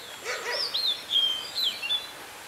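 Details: Oriental magpie-robin with fighting spirit, singing during trapping on 16 May 2016; clear sliding whistled phrases rise and fall in quick succession, opening with a brief harsh rasp, and a man's voice follows.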